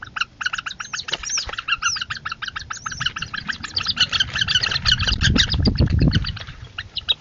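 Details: Northern harrier family squabbling over food at dinner time; a dense, rapid stream of harsh chattering notes, several per second, with occasional high downslurred whistles and a low rumble of wind.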